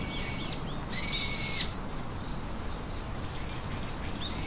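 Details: Three nestling birds call from their nest: a drawn-out, thin, high whistle about a second long, followed by fainter short chirps over a constant low hum.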